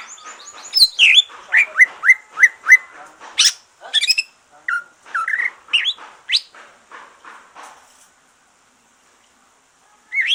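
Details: Kept green leafbird singing once moulting is over, meant to spur other birds: a burst of four quick identical upslurred whistles, then assorted chirps and rattly notes fading into silence before a final rising note.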